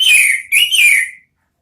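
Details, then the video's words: Orange-headed thrush (anis merah) in ngeriwik singing style, used as a lure for ngeplong sounds: two quick loud whistled phrases, each sliding up then gliding down, ending in silence. "Siulan ANIS MERAH ampuh memancing BUNYI NGEPLONG ¦TERAPI PANCINGAN ¦ KICAUAN NGERIWIK"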